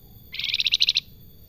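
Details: Single short salakan phrase, a quick run of about ten evenly spaced, high, pulsing notes delivered in well under a second, from a bird described as singing actively and sweetly.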